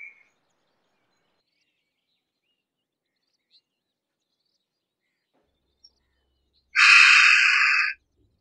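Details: Harris's hawk, a medium-large bird of prey of sparse woodland and semi-desert: after a long silence, one loud, harsh, rasping scream of just over a second, broad and grating.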